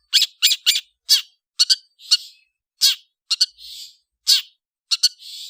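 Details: Long-tailed shrike harsh chattering: paired scratchy notes and single rasps separated by short gaps, with some breathy hissing sounds, on a quiet background.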